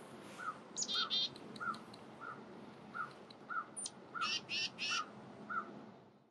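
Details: Black-capped chickadees in November in upstate New York, winter foraging alongside Tufted Titmice: chatter in short, high, buzzy bursts over a steady run of lower single notes repeated about every half second from another bird.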